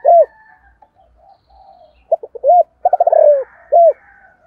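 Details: Spotted dove with a 'giọng thổ cục đình' voice, cooing in the morning to call wild doves. A loud single coo, then a phrase of short notes, a rolling burr and a closing coo, with faint chirps behind.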